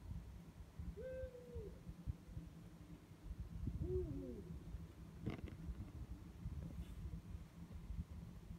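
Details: Two Eurasian eagle-owls calling at night: two hoots a few seconds apart, the first higher and drawn out, the second deeper and curling, over a steady low rumble and one sharp knock.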